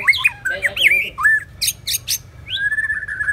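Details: Loud white-rumped shama song from two competing birds: bright slurred whistles at the start, a burst of sharp high clipped notes, then a sustained level whistle trailing off, with very little background noise.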